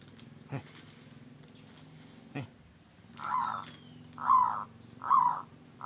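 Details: Local zebra dove singing in a loud, rough voice: a couple of soft clicks, then three short, low, rolling cooing phrases at about one-second intervals over a faint steady hum.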